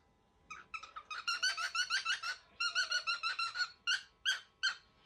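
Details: Angry baby cockatiel in a room, calling rapidly with rhythmic harsh, harmonic notes, roughly three per second, building into a dense stream before slowing to spaced calls.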